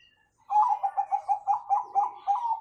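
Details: Zebra dove (perkutut, Bangkok type) singing a prized "kung" song used as a master recording to train young birds; a rapid run of about ten short rolling coos at steady mid pitch, indoors with little background.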